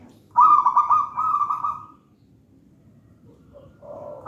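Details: Local wild-stock zebra dove from a gedang rojo nest, singing actively. One long, pulsing trilled coo lasting over a second, followed by quieter, lower cooing notes.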